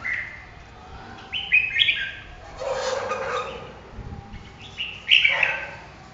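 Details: Red-whiskered bulbul singing short bright warbled phrases, clustered near 1.5 and 5 seconds, with a fainter lower rasping sound in between over a quiet background.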